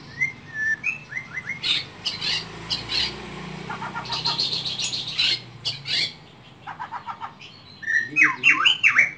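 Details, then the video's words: Caged white-rumped shama in an Indonesian home delivering a varied song: short whistled slurs, rapid clicking trills, sharp buzzy bursts and ringing rising notes, jumbled together with brief pauses. "Bakat Terpendam Murai Rumahan"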